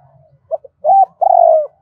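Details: Part of a decoy spotted dove's double-voice, two-tail-note cooing, meant to lure wild doves. Two faint short notes lead into a fuller coo and then a long, slightly falling, rough-edged coo. Faint low rumbling sits underneath.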